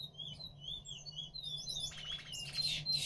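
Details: A male seed finch (Picolet) courting one of his hens sings fast, high, twittering phrases, with sliding whistles breaking into buzzy chatter near the end, over a steady low hum.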